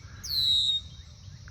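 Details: A male Red-winged Blackbird near its nest by a pond in Ohio on a hot, humid day of about 80°F gives one clear, high half-second whistle sliding slightly downward, over a low outdoor rumble.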